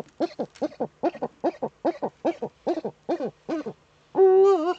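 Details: Female Eurasian eagle-owl in the nest niche, courting, filmed by a webcam in northern Rhineland-Palatinate, Germany, on 10 May 2013; a rapid series of paired, clipped notes about four per second ends in one long, loud, wavering harmonic call.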